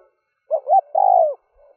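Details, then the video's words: Spotted dove decoy cooing used to lure wild doves, early morning: a short two-part phrase of low hollow coos, a brief note then a longer sustained coo with a falling end, in otherwise quiet surroundings. "Tiếng chim cu gáy rút bổi nhanh về - kích bổi nhanh nổi"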